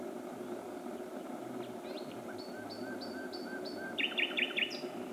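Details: Common nightingale singing near midnight in early June 2016 at Myttäälä, Pälkäne, Finland: a row of five high, clear whistled notes, then three loud rattling buzzy trills, over steady low background noise.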